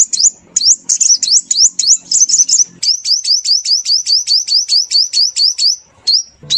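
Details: High sunbird lure call for trapping birds: a run of rapid rising upslurred chips, some rolled into trills, then a steady series of about twenty sharp upslurs before two final notes.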